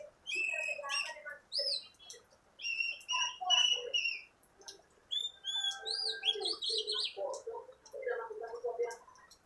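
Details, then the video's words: Newly acquired oriental magpie-robin singing vigorously in training, with clean whistled notes, sweeping slurs and rapid chattering bursts separated by short silences. "Latih burung kacer, Alhamdulilah bisa gacor"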